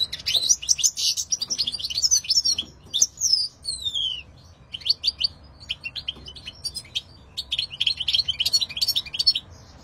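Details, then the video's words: Loud European goldfinch song: dense liquid twittering, long downward-gliding whistles, then quick repeated chirps and a final run of rapid bright trilled notes. "Stieglitz - Carduelis Cardudlis - Jilguero - Щегол - Kадънка - щиглец - طائر الحسون - qızılfinch"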